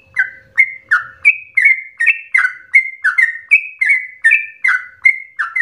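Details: Sooty-headed bulbul in aggressive, rapid song for provoking and tutoring cage birds: a steady run of clear, downslurred whistled notes, about three a second, with a faint hum at the start.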